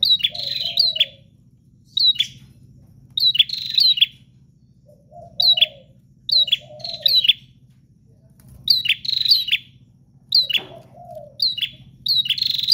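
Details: Bar-winged prinia in continuous, insistent song: short bright chirp clusters repeated every second or two, occasional low warbled notes, faint background hum.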